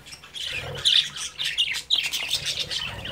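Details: Budgie babies at play inside their cage, parents watching: sharp, high chirps and little scratchy squawks in rapid loud bursts, some notes rising and falling, with brief pauses between.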